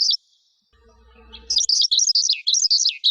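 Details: Lark song: a brief high chirp, a pause with a faint low hum, then a rapid run of high, sharply varied chirps and trills.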